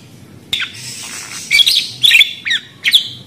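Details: Budgerigar calls: a few short, scattered chirps and squeaky notes with bent, warbling pitch, separated by brief pauses.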